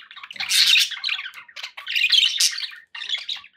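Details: Chattering budgerigars kept as pets: two bursts of scratchy, squawking warble separated by a brief gap, then a shorter third phrase.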